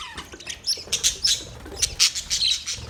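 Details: Budgerigar colony: rapid, bright chirps and clicky twitters repeat every few tenths of a second, forming lively high chatter.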